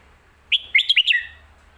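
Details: Red-whiskered bulbul delivering one phrase of the popular 'phat kuaitiao' or 'mae bot' song style: five clear, bouncy whistled notes rising and dipping in quick succession, ending in a falling slur.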